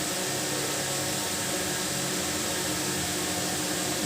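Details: Steady broadband hiss like a fan or appliance fills the room, with no animal sound.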